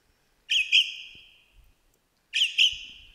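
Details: Superb lyrebird singing in Australian bush, mimicking other birds. Two clear whistled notes with a sharp start, each drawing out into a long, level, slowly fading tone, the pair spaced about two seconds apart, the air otherwise quiet.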